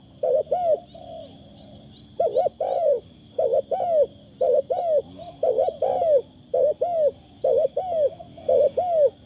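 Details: Spotted Dove calling as a decoy, with a thin delivery: a long run of paired low arched coos, roughly one pair per second, occasional flat single notes, over a constant faint high hum.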